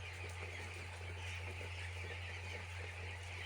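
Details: Crowded chicks on a poultry farm cheeping nonstop, a blurred chorus of high, short calls with no pauses, layered over a strong steady low hum.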